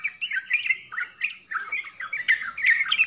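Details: Trucukan, the yellow-vented bulbul, in 'full isian' style: short, liquid, gurgling phrases with chirpy upslurred notes, broken by brief gaps, ending in sharper, brighter squeaks.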